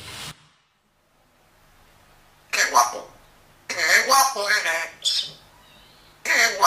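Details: Grey parrot; talking; imitating human words and voices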